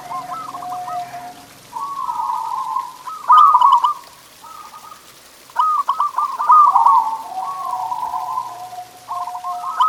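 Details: Zebra dove song played to prompt caged doves to sing: rolling trilled coo phrases alternating with long smooth coos, voices overlapping, with two louder bubbling bursts.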